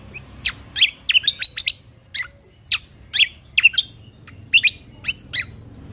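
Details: Lesser green leafbird song for contest-bird training, in the 'full tembakan kunti' style. Separate high, sharp chip and slur notes come in irregular bursts, some paired, against a quiet background hum.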